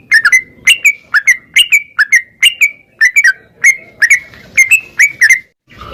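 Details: Song of a caged yellow-vented bulbul, played to spur a caged bird into singing: short chattering doublets with a sliding tail, repeated about twice a second at an even level, in a quiet background.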